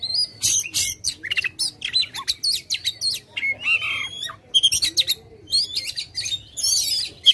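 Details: White-rumped shama in aggressive tail-spreading song, played to stir a silent bird: sharp staccato bursts and harsh notes repeated in quick succession, mixed with a few slurred whistles, steady low hum behind.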